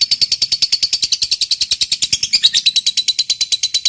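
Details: A fighter-type lovebird giving ngekek panjang, a long chattering song, used to coax quiet lovebirds into singing. Fast, even run of shrill, scratchy notes, roughly three per second, continuing without a break, indoors.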